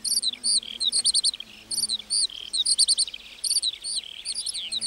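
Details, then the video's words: Lark in a meadow pouring out song: clipped high chirps and short whistled slurs in rapid clusters, with brief trilled runs and small gaps between bursts. "Singing lark in the meadow"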